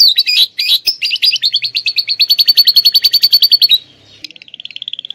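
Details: Atlantic canary with a lovebird-style fill: harsh chirps, then an accelerating rapid rattling run, a pause, and a thin steady fast trill.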